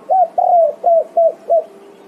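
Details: Spotted dove (tekukur) answering its companions with five low, mellow coos in quick succession, the second longest and gently falling, the rest short and evenly spaced; faint steady hum underneath.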